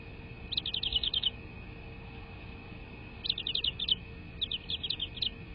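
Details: American bald eagle at a nest, recorded by a live nest camera on 22 February 2024 at 18:13: three bursts of high, rapid chittering notes, each a quick run of sharp piping chips, over a steady electrical hum.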